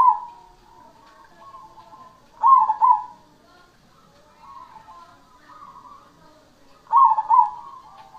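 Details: Cemani zebra dove song: two strong phrases of paired rolling coos, separated by a long stretch of quiet, wavering low coos.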